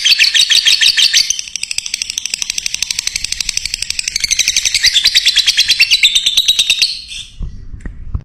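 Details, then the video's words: Lovebird, fighter type, sounding off as a lure to provoke other birds: a fast, machine-like rattling chatter of shrill high pulses, about three per second, sustained for seven seconds before stopping abruptly. "Pancingan Lovebird Fighter Bisa Menaikan Emosi Burung Lain"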